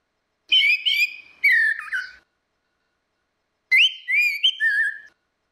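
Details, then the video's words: Orange-headed thrush song used as a lure, female versus male singing: clear whistled phrases with rising and falling slurred notes, two bursts about three seconds apart, clean background. "SUARA ANIS MERAH BETINA VS ANIS MERAH JANTAN NGEPLONG || PANCINGAN ANIS MERAH MACET"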